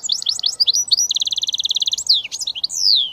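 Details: British goldfinch mule hybrid in switty song, opening with quick high twitters, running into a fast rattling trill of evenly spaced notes, then falling whistled sweeps.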